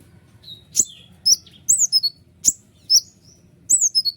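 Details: Short stretch of white-winged triller tutor song: a few high slurred whistles dropping in pitch with sharp clicks between, spaced irregularly over a low background murmur.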